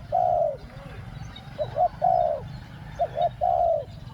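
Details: Spotted dove luring wild doves with the two-word 'ku-ang' coo: a long, full, level coo, then a pair of short notes and another long coo, the sequence repeated, loud and close, over low background hum.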